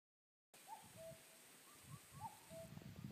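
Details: Cuckoo in woodland calling twice, each a soft, hollow two-note 'cu-coo' falling from the higher to the lower note, about a second and a half apart, over low rumbling background noise.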